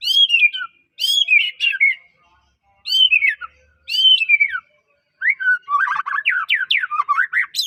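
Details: Unique song of a white-rumped shama from Medan, played to stimulate other shamas: four loud ringing whistled phrases, each sliding downward after a sharp onset, followed by a rapid jumble of varied rising and falling notes.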